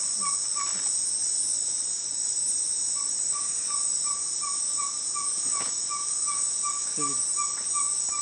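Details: Ferruginous Pygmy-Owl (Glaucidium brasilianum), May 2020: a long run of evenly spaced, mellow whistled toots, roughly three per second, over a steady high-pitched drone of insects.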